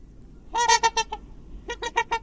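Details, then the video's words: Swan giving a burst of five loud, nasal, trumpeting honks in quick succession, then a short pause and four more honks, each note rich and brassy over a quiet background. "What does a swan sound like? | Real swan sound"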